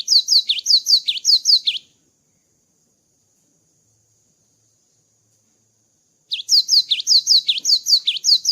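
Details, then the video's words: Java sparrow after moulting: fast strings of high, bright chirps and dipping notes, a long silence, then a longer burst of rapid chirping. "GELATIK BATU GACOR ‼️ KICAU GELATIK BATU SETELAH MABUNG"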